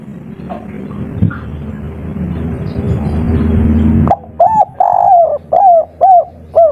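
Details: Spotted dove, local bird, in kuk 3 singing style: four seconds of low rumbling background, then a lively series of soft, bowed coos repeated about twice a second.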